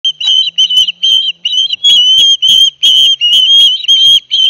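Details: Ospreys at a nest on a live cam at Barnegat Light, New Jersey, 9 September 2021, as the father brings a big fish to each of two young. Loud, slightly rising whistled notes sound in quick, uneven runs, with a faint low hum beneath.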